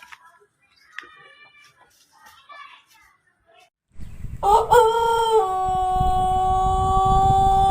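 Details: Pelung chicken rooster from Plered, Purwakarta Regency, crowing: after quiet background chatter, a loud harmonic crow begins with a short rising note, then holds a long, steady, level tone to the end.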